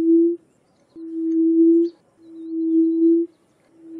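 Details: Yellow-legged buttonquail giving its harsh, somewhat whistle-like call: low, steady, hooting notes of level pitch, each about a second long, repeated after short gaps, in a quiet setting.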